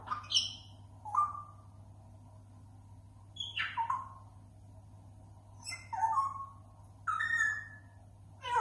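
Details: A grey parrot imitates various sounds in a run of varied whistles, chirps and squawky notes in short bursts, some sliding and rising, over a steady low hum.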